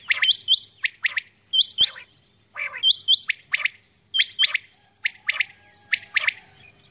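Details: Female common quail heard at dawn, calling with paired high, hooked notes that alternate with harsh, scratchy chirps in a steady, busy rhythm.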